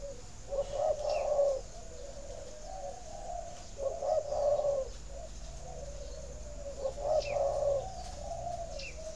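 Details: Spotted dove cooing, a sound used by breeders of captive doves to stimulate egg-laying; three low, mellow, throaty coo phrases arrive about every three seconds, each a rolling burst followed by softer trailing notes, with faint rustling between.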